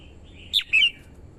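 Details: Red-whiskered bulbul, a female singing to stimulate the male and lure wild birds: a brief phrase of two bright whistled notes, the second slightly longer and dipping, over faint low background hum.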